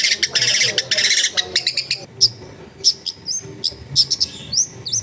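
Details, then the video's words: Long-tailed shrike heard at a home in a busy neighbourhood, meant to stimulate a reluctant singer: harsh buzzy chatter at first, then spaced sharp chips and short upswept whistles. "TERBUKTI TERAPI CENDET MALAS BUNYI LANGSUNG NYAUT"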